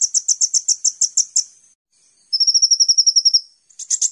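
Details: Kolibri ninja sunbird on a master training recording: a quick series of about ten bright, high chips, a short silence, a thinner, faster steady trill, then another sharp burst.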